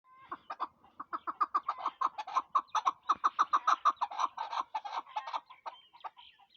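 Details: Chukar partridge calling: a rapid run of harsh, clucking chuck notes, about three per second, swelling in loudness and then fading with a few spaced notes at the end.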